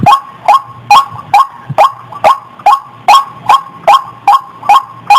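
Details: Around thirteen croaking, slightly rising notes of a white-breasted waterhen lure call in a fast, even sequence. A faint low hum and a brief low thump sound underneath.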